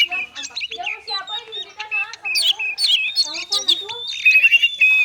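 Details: Oriental magpie-robin in konslet style, meant to spur reluctant magpie-robins into song, pours out a dense, varied jumble of chattering notes, harsh stacked calls and a long steady whistle that ends in trilled phrases.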